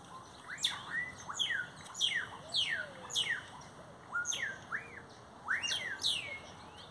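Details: Several great-tailed grackles singing beside a Brugmansia tree: repeated sharp descending whistles and rising slurred notes, roughly every half second to second, forming overlapping bursts of varied whistled calls.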